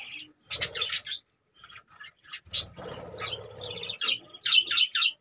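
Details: Budgerigars in cages calling in short bursts of sharp chirps, with gaps of quiet and a low rumbling noise in the middle.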